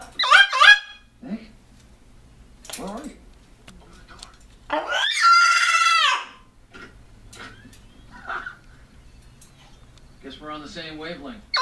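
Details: A newly adopted large pet cockatoo gives a long, harsh, grating scream between shorter squawks and a few wavering, voice-like sounds in a small room, reacting to a played video of another cockatoo.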